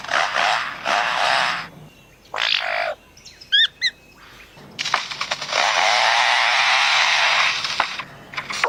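Lyrebird mimicry: short harsh hissing bursts like mechanical clicks, a quick run of bright ringing chirps, then a long steady rasping whirr.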